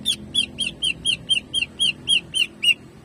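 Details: Greater green leafbird, locally cucak ijo, shooting jamtrok song meant to warm up caged birds: eleven loud, rich chirps repeated steadily at about four per second over a faint low hum.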